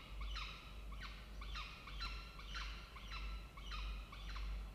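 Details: Peregrine falcons nesting in a water-tower nest box at Charles Sturt University, Orange, New South Wales, Australia, morning of 16 October 2024. Grating, slightly downslurred call notes, about six in a rhythmic run, over constant low rumble.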